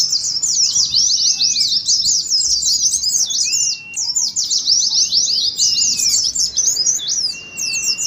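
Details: Oriental white-eye song in the fast twittering ngeriwik style, used to stir birds and simulate a singing contest: dense, rapid high chirps and trills run almost nonstop, with brief thin whistled notes below and a short dip near four seconds.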